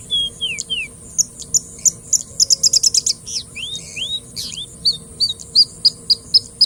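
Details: A Singing Bush Lark (Mirafra cantillans) pours out a rapid, varied song of high sliding whistles, fast trilled bursts and sweet repeated notes, all in a quick jumble.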